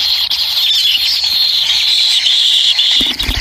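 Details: A kingfisher nestling receiving food from its parent keeps up a high, insistent, slightly rising and falling buzzy begging cry, ending in a few rustling, clattering sounds.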